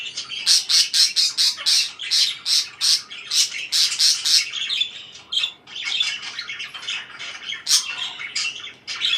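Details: A parakeet opens with a rapid string of sharp, evenly spaced chirps, then shifts into looser, rambling chatter of raspy squeaks.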